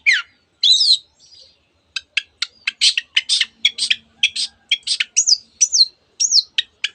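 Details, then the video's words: Song of a Long-tailed shrike that mimics canaries and many other birds: opening swooping whistled slurs, then a fast string of sharp, high ticking notes, closing with descending whistled phrases. "cendet gacor nembak nembak rapat isian kenari dan banyak jenis burung yang masuk masteran"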